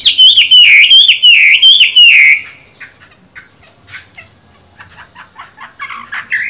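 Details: Caged Chinese hwamei with green-bean-coloured eyes singing during its moult: loud repeated slurred whistles with upward-flicked ends for over two seconds, then softer scattered chirps and notes.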